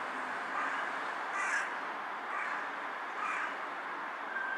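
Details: A carrion crow on a power line bows while calling, giving four rough caws spaced about a second apart, partly muffled by a constant broadband hiss.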